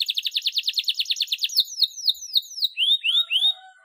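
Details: Canary in lure song for coaxing other canaries into singing: a rapid series of buzzy pulsed notes, then descending swept whistles, ending with three clear rising whistled slurs and a soft lower note.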